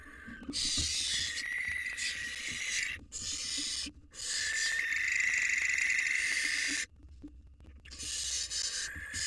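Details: Barn owls at a nest box: a male courting a new female perched outside, three days after his mate's death, with a fledgling beside him. Dense, overlapping harsh hissing screeches run almost continuously, broken by short gaps.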